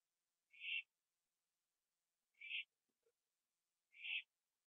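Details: Owl at night on a porch, finishing a gopher it caught, 21 September 2011 around 11:15 PM; three harsh hissing bursts spaced about one and a half seconds apart over near silence.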